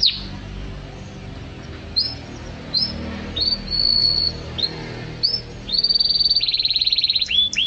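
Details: Canary song used as masteran tutoring material: spaced high whistled chirps and a short sustained whistle, building into a buzzy fast trill and two quick rising notes near the end, over low background rumble.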